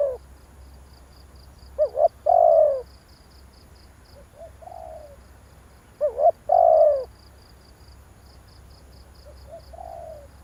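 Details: Spotted dove luring call for trapping: two full phrases of paired short notes and a long hoarse descending coo, separated by quieter, softer coos, against light background hiss and faint high ticking.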